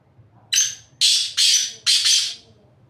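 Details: From atop a rock, a black francolin gives its grating call: a drawn-out scratchy first note, then four rough, buzzy notes in two quick pairs, the whole phrase lasting about two seconds over a quiet background.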